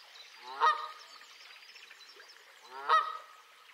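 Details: A Canada goose gives two loud, nasal honks about two seconds apart, with a faint wash of background noise between them; recorded 25 April 2020.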